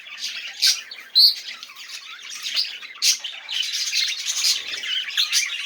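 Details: Budgerigar chattering, played to encourage silent budgies to sing: dense, scratchy, high warbling with sharp squawks and chirps, an ongoing busy stream of small-bird chatter.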